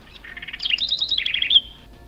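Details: House Wren (corruíra) from Paraná, Brazil, showing a regional song dialect: a quick, bubbling phrase of rapid high notes, starting with a fast trill, then tumbling chatter, ending on a thin sharp note.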